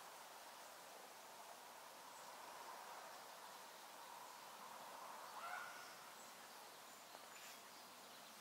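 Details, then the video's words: Young Northern Flicker chicks at a nest near a house call for food to their nearby parents: a steady, hissing, bee-like buzz that swells and fades, with one brief higher note, over airy outdoor hiss. "Young Northern Flicker Chicks Calling For Food"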